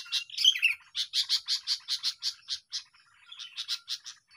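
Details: Sooty-headed bulbul song used to attract birds into a trap: a warbled opening, then a steady series of about a dozen evenly spaced bright chirps, a pause, and a few more notes.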